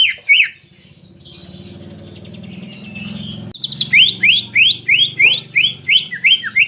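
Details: Greater green leafbird's canary-imitating song: two sharp notes, a soft wavering phrase over a low hum, then a brisk regular run of about ten crisp, rising-falling chips.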